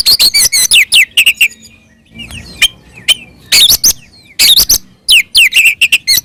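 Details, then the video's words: Oriental magpie-robin fighting song meant to provoke rival magpie-robins into answering: fast bursts of high chirps and downslurred whistles, broken by a short quiet gap, then more loud, dense phrases. "SUARA BURUNG kacer gacor NGEPLONG TARUNG ini paling AMPUH buat PANCINGAN KACER agar EMOSI NYAUT"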